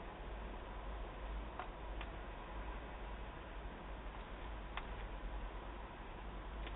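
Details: Steady low hum, as in a small indoor room, with a few faint ticks and no animal voice.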